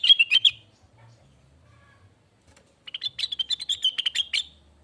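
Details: Tutor song of a lesser green leafbird for training and provoking caged birds. A short burst of fast, sharp chirps opens the recording, then a quiet gap, then a longer run of bright, twittering notes.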